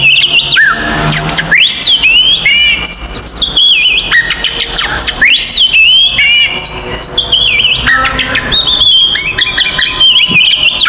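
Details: Oriental magpie-robin belting out a 'konslet' fighting song to stir up rival magpie-robins: loud arching whistles that recur every couple of seconds, mixed with rapid high-pitched twittering.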